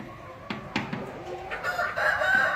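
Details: Rooster crow beginning partway through, rising in loudness toward the end, preceded by a few sharp clicks and clucks against a noisy background.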